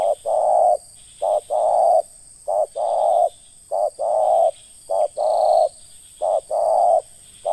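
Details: Terkukur, the spotted dove, repeats its ngeruk call in a luring context: about six paired coos, a brief note and then a longer, even, throaty coo, spaced roughly a second apart, with a constant faint high-pitched tone.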